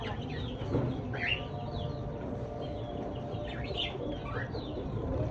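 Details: Lovebirds singing in a calm natural setting: short, shrill chirps that sweep up and down come in scattered, irregular bursts over a steady low rumble of background noise.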